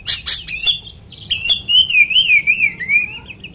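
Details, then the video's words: Oriental magpie-robin song used to provoke another magpie-robin: a few sharp chips, then a run of clear whistled notes wavering up and down, with a low hum underneath. "kacer materian bikin Kacer lain emosi pancingan burung kaker"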